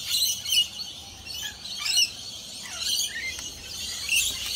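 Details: A large flock of rainbow lorikeets flies over a house and gathers for a nectar feed. Dense, high-pitched screeching chatter comes in loud bursts about every second, with shrill overlapping squeaks against a steady background hiss.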